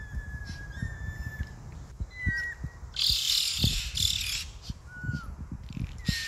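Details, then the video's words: White-winged choughs, a noisy group in Australia, giving clear whistled notes, some level and drawn out, others short and sliding, scattered across the recording, with a loud broadband rushing burst midway and low thumping handling noise throughout. "Vocal white winged chough brigade"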